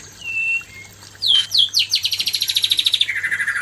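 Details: Male white-rumped shama facing a fierce female: a long steady whistle, then loud upslurred notes leading into a fast ringing trill of about twenty repeated notes, ending in a lower, harsher buzzy run.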